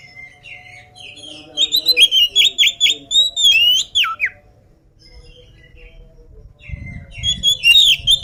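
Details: Energetic oriental magpie-robin, still unfed, gives a fast series of rising and falling whistled notes, about two per second. Then a quiet gap, and the song resumes with a low thumping noise in the background.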